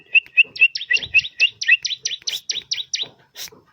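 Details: Bar-winged prinia song: a fast, accelerating series of about fourteen sharp chirps, starting as clear high pips and becoming buzzier, downward-then-upward notes.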